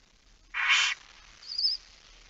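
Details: Barn owl in a nest box at night on 13 September 2019 around 22:27, with small chicks present. One loud, harsh, rasping hiss lasts under half a second, followed by a thin, wavering high squeak about a second later.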